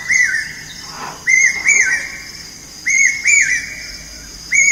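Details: Morning birdsong of loud, clear whistled chirps, each rising then dipping, grouped in pairs about every one and a half seconds, with a short rustling noise early on.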